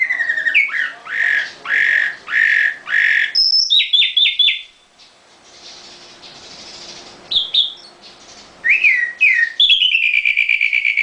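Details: Nightingale singing in its cage: a run of loud repeated slurred notes, a string of short high pips, a pause, then descending whistles and a fast closing trill.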